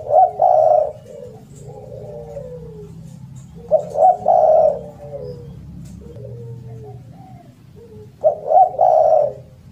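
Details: Loud spotted dove for tutoring silent birds: three phrases of quick stuttered coos merging into a drawn-out note, separated by quiet falling murmurs.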